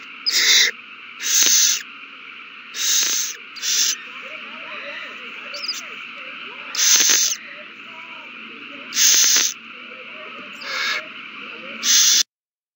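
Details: Nest owls in a frenzy over a mouse passed between a pair, recorded 21 March 2020; a rapid, irregular series of about nine rasping hiss-screeches, some very short, others longer, above a constant low hum with faint chirps.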